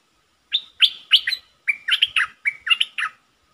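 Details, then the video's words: Bulbul kept as a decoy bird, dated 22 August 2021. Its lively song comes as bursts of bright slurred chirps and short whistles in quick irregular clusters, with a quiet background. "เสียงนกดอกแตงEp.73 นกต่อสายโหด(เจ้ามณี) Suara merbah lekir gacor"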